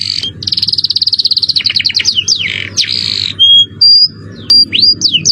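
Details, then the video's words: Canary master song, cengkok mewah with jerih voice: a long fast rattling trill, descending chip series, a buzzy phrase, then isolated pure piping whistles and upswept notes, over a low hum. "Masteran kenary cengkok mewah suara jerih"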